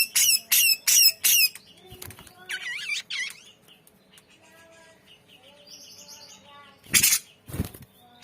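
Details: Grey-cheeked bulbul in full, lively song with many varied notes, used as a tutor recording: four loud harsh rasping bursts, then quick rising-falling whistled warbles, soft twittering, and two more harsh bursts near the end.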